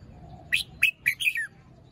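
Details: Red-whiskered bulbul in the morning, a fluffed young bird not yet fully moulted and with a small crest: four quick, liquid whistled notes, the final one drawn out and falling.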